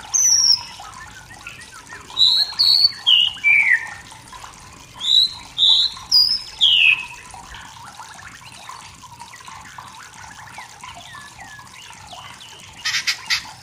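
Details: Wild forest white-rumped shama singing to provoke rivals: two bursts of bright, high whistled notes, some sliding downward, separated by quiet stretches, with a faint buzzy sound near the end.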